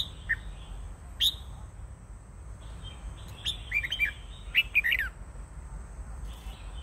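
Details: Wild-caught red-whiskered bulbul giving short, bright warbled phrases of quick rising and falling notes, clustered in the middle of the recording, over a steady low hum and faint background noise.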